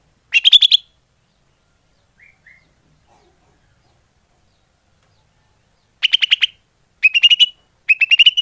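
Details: Lure call of a greater green leafbird, a short burst of fast chipping notes, a long silence, then three quick trilled bursts of five to seven clipped notes, each rising slightly at the end.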